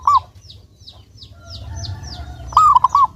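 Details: A lively local zebra dove, kept as a lure to make others sing. It gives the tail of one cooing phrase, then a full rolling phrase of short coos. A series of faint descending chirps from other birds fills the gap, over a low rumble.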